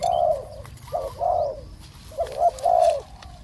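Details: Spotted dove calling during a decoy session for catching a small-voiced wild bird: two groups of husky coos, each ending in a longer held note, with faint clicks behind.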